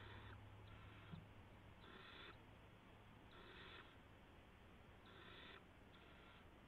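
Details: Barn owls at a nest at 3:10 AM on March 16, 2016, as an adult delivers a gopher to the owlets. Harsh, breathy half-second screeches repeat at irregular intervals over a steady low hum.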